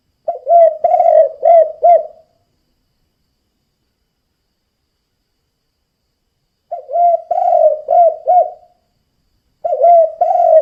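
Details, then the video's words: Spotted dove giving its 'kuk 2' style lure call to attract other doves: low hollow coos in phrases of about four notes, the phrases about two seconds long, separated by long silences, then repeated twice more. "Suara Burung Tekukur Kuk 2 Gacor Dijamin Cukup 1 Menit Ampuh Untuk Pancingan Derkuku Lain"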